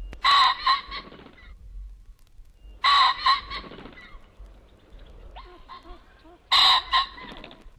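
Ring-necked Pheasant giving three loud, harsh, two-part crows about three seconds apart, each a grating burst followed by a faint lower rattle.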